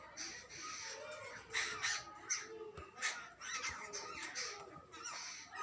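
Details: Jungle babblers, adults with their chicks, giving rasping, noisy chatter in uneven clusters of scratchy bursts, fairly distant and partly buried in background hiss.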